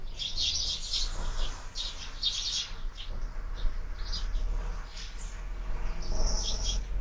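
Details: Several sparrows at a window feeder in the morning, their clustered, slightly harsh chirps coming in irregular clumps against a steady low background rumble.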